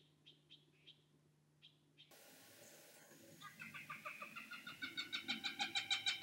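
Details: Cooper's hawk, adult or immature, in a series of harsh, evenly spaced notes that speed up and grow louder, following a few faint, scattered notes after an abrupt cut.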